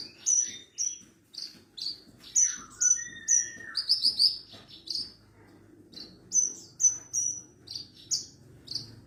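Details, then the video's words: Javan bush lark song for tutoring young and silent birds: rapid series of short high whistles and sharp chirps, with one lower slurred note early on, continuing in bursts about twice a second, with a brief pause midway. "MASTERAN BURUNG BRANJANGAN PARVA"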